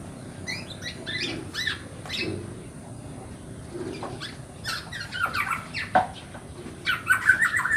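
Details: Black-naped oriole nestling calling for its parent birds: scattered scratchy squawks, sparse at first, then growing louder and more frequent near the end.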